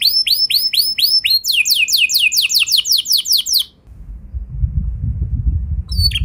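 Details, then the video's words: Canary song used to trigger other canaries to answer with long rolls: repeated high whistled phrases and fast descending notes, then a pause with low rumbling noise before a final chirp. "Pancingan Kenari Biar Gacor Ngeroll Panjang! Dijamin Kenari Lain Pasti Langsung Nyaut Emosi Ngeroll"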